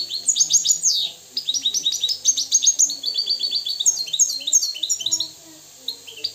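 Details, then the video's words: Wild Moroccan European goldfinch singing a dense, nearly continuous stream of bright tinkling chirps and quick trills, trailing off into a few isolated notes. "استمع واستمتع الى طائر الحسون المغربي الحر الاصيل"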